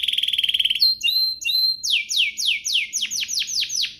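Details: Canary singing to provoke rival canaries: a rapid buzzy trill, clear level whistles, then a run of loud descending sweeps about three per second, fading at the end.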